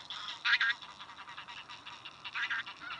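Tundra bean geese give loud, nasal honks in two short bursts over a steady background of softer goose chatter from a flock.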